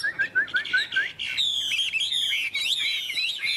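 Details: A kept Chinese hwamei sings. It opens with five short, identical upslurred whistles in quick succession, then moves into a dense, unbroken stream of bright, warbling whistles that rise and fall.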